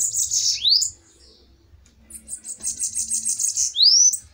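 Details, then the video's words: Bananaquit in a heated fighting duel, high buzzy trill ending in a rising slur, a short pause, then a pulsing buzzy trill and another steep rising note; a man's voice follows. "DUELO DE SIBITES FOGOSOS!"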